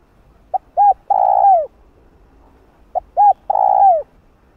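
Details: Spotted dove cooing meant to draw wild doves: two identical phrases about two and a half seconds apart, a short pip, an arched note and a long coo falling at the end.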